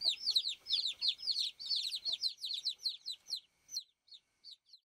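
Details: Several baby chicks on a farm peeping to call the hen: rapid overlapping high, shrill, falling chirps that thin out after about three seconds into a few isolated peeps, over a faint steady hum.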